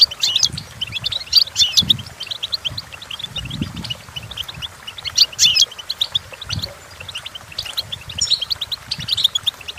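Goldfinch song: a fast, tinkling run of high twittering notes and liquid trills, poured out almost without pause, with a faint low rumble beneath.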